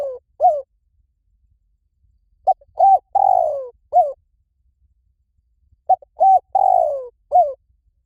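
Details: Spotted dove calling in a lure recording meant to draw doves in quickly in any forest: two soft phrases of rapid mellow coos, each ending in a longer descending note and a short final coo, separated by silence.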